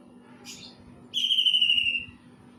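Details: Greater green leafbird imitating a kingfisher: a faint brief chirp, then a loud, strident whistle sliding gently downward for almost a second with bright overtones, over a constant low background hum.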